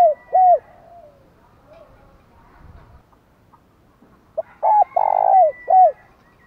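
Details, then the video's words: Spotted dove cooing to excite wild doves and decoy birds into calling; a couple of short low coos, a quiet pause with faint softer coos, then a loud phrase of short notes and a long held coo. "cu gáy thúc gù kích thích chim bổi và mồi rất nhạy gáy"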